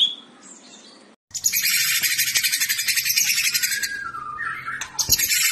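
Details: Fighter-type white-rumped shama in fighting style: a dense, loud, buzzy high chatter of rapid repeated notes, ending in a falling whistle and a sharp click.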